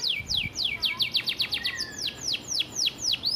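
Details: Canary master song used to train other birds, gereja fill-in style: a series of sharp downward-sweeping whistles, fast at first then spaced about three a second, with a brief twittered middle section.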